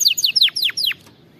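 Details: Short canary song phrase, played for training canaries to sing properly: five bright whistled notes, each sliding sharply downward, delivered quickly in about one second before falling silent over a soft low murmur.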